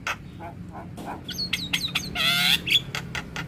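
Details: Training song of a Javan myna with full fills: soft chucks, then bright downslurred whistles and a loud harsh buzzy burst, followed by short clicks.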